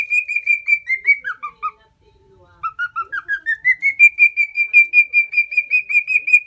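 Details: Four-year-old male lutino cockatiel, a hand-tame house pet in Osaka Prefecture, Japan, whistles level notes that tumble downward, falls briefly silent, then builds a rising sequence of regular whistles held at a high pitch.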